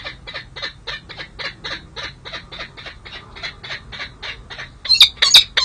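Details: Peregrine falcon pair bonding on a San Jose City Hall ledge, July 2024: a rapid, steady series of short harsh chattering notes, about three per second, closing with a few louder, sharper shrieks.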